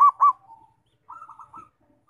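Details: Zebra dove, its song used to provoke other doves into singing, giving two short loud coo notes followed by a faint fading note and then a soft, fluttering trilled phrase.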